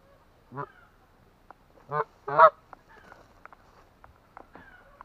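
An Atlantic Canada goose gives three loud, nasal honks, a single one then a quick pair, followed by fainter, softer calls in the background.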